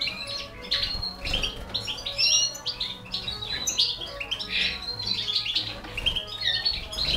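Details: Goldfinch (balcanica) feeding four baby canaries: a steady stream of busy high chirps and twittering notes, fairly continuous with uneven pulses.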